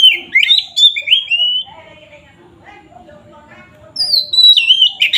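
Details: Oriental magpie-robin belting out ngeplong song as a lure to anger rival kacer; quick rising and falling whistles, a gap of about two seconds, then another fast sweeping burst.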